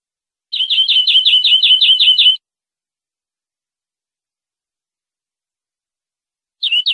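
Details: Tutor recording of European greenfinch song for educating captive birds: a trill of about ten ringing notes lasting under two seconds, a pause of several seconds, then the next trill starting. The background is clean.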